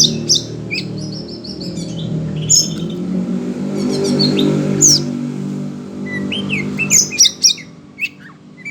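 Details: Oriental magpie-robin worked up by hearing other birds: clusters of high whistled and buzzy notes with a pause in the middle, over a low murmur that may be traffic.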